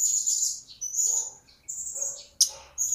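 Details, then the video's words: Shrill, sustained high whistles repeated with short gaps, mixed with buzzy lower twitters, from a newly acquired blue-crowned hanging parrot kept in captivity that is starting to sing. "Serindit Yang Baru Dapat Sudah Mulai Berbunyi???"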